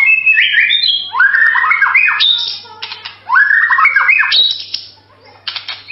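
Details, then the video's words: White-rumped shama song in two loud bursts of rich whistled and slurred phrases, stepping between mid and high pitches with harsh buzzy accents, separated by a quieter pause; faint steady hum underneath. "MASTERAN MURAI SUARA MERDU"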